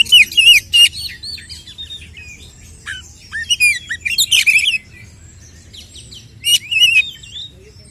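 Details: Oriental magpie-robin in combative song to rile rival males: loud high whistled phrases at the start, quieter twittering and scattered notes in the middle, then another strong pair of sharp whistled bursts.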